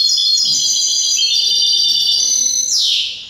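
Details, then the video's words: A goldfinch hybrid (mixto jilguero), a captive songbird, sings a rapid, high, tinkling twitter of bright trills, ending in a short downward buzzy sweep. "MIXTO JILGUERO"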